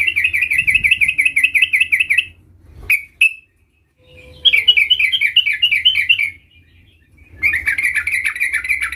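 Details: Sooty-headed bulbul, young and still learning to roll its song, delivers long rapid trills of repeated bright notes, broken by two short sharp calls and a silence before the rolling resumes.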